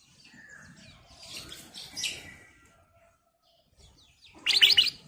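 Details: Actively singing sooty-headed bulbul, kutilang emas, used as a lure: soft chirps and twitters early on, a pause, then a sudden loud burst of rapid bubbly notes at the end.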